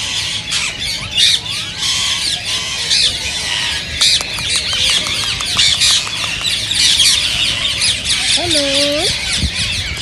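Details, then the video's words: Many rose-ringed parakeets, whose sound is said to encourage singing and mating in other parakeets, screech and chatter continuously in a harsh, high chorus; a lower, wavering two-part call stands out near the end. "ببغاء الدره تحفيز رهيب رهيب"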